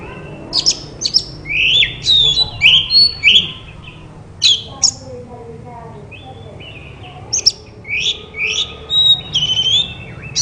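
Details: Shama song for stimulating other white-rumped shamas to sing: clear rising whistles and chattering notes in two bursts separated by a quiet gap with faint background voices.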